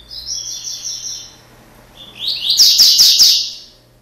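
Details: Double-collared seedeater (Sporophila caerulescens), blue-billed "coleiro" giving a straight song: a high, sweet whistled phrase, then after a pause a rapid run of buzzy, twittering notes about four per second.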